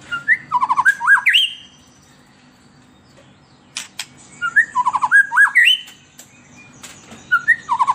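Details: An emotional, agitated White-rumped shama sings as a lure for captive shamas. Bursts of rapid, rich warbling with upward-sweeping whistles are repeated, separated by about two seconds of silence and a few sharp clicks.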